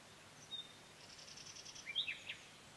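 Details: A Common Nightingale sings in a walnut tree on a sunny spring day in Provence: a thin, high whistle, then a quick run of repeated notes and a loud rising and falling phrase, over a steady background hiss.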